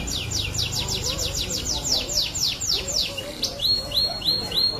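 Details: Canary song: rapid series of high, downward-sliding whistled notes, then shorter flat chirps repeated at an even pace. Low background rumble and faint murmuring noise throughout.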